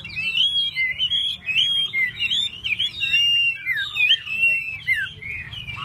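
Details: Hwamei fanning its tail while pouring out a continuous, fluid warble of twisting, looping whistles with hardly a pause.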